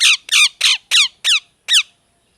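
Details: [6, 'Six loud, rasping parrot squawks, each sliding downward, come in a quick run, with the last one after a slightly longer pause.']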